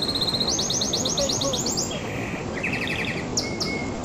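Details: A canary runs through a quick trill that climbs in pitch, then a low buzzy rattle, a mid-pitched pulsed series and scattered sharp high notes, all over a soft steady hiss.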